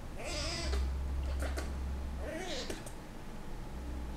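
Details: Breeding-season Senegal parrot courting its owner's hand indoors: two drawn-out, wavering, mewing whines about two seconds apart, each rising then falling, with a few soft clicks between and a low hum underneath.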